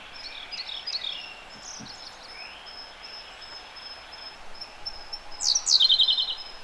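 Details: Siberian blue robin singing close by in a gorge: a run of rapid high notes ends in a loud, fast, rattling trill near the end, over a steady thin high-pitched note repeating in the background.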